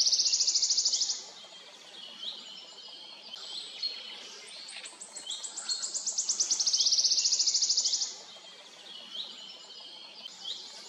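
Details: Song of a wood warbler. A loud, fast, shivering trill opens the recording. After a pause, a second phrase of accelerating high ticks runs into another sustained metallic trill, with faint chirps in between.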